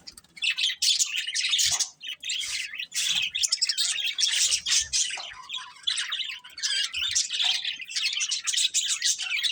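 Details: Several budgies chirp and chatter nonstop, a loud, grating mix of high warbles, squeaks and short squawky notes, with a few soft low thumps.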